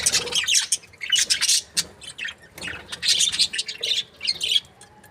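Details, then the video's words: Breeding pair of budgerigars, described as happy, trades bursts of squawky chirps and raspy chatter, with clear quiet gaps between the bursts. "Happy budgie chirping sounds 🦜| breeding pair"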